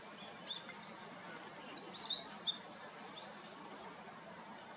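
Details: Meadow bunting recorded with a Nikon P1000 camera, its voice described as clear and cute; a short cluster of high, thin, quick notes bursts out near the middle over a steady hiss.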